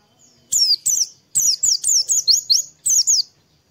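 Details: Lively morning song of an Oriental white-eye, played to get other birds singing: a rapid chain of bright, high chirps that slur downward, grouped in twos and threes over about three seconds.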